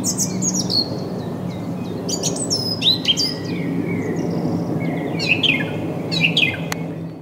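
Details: Song thrush singing on 6 April 2010, captured with a Canon HF200 camcorder: a run of bright, varied phrases, sharp whistles and quick chattering notes, some phrases repeated in short bursts, over a steady low hum.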